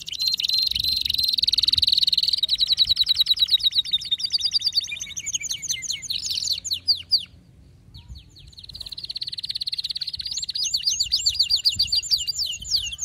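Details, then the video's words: Highly agitated male canary singing long, fast, buzzy rolls that change pace, breaking off for about a second midway before resuming an equally rapid trill. "هيجان ذكرى كناري سيجبر كناريك على التغريد فورا"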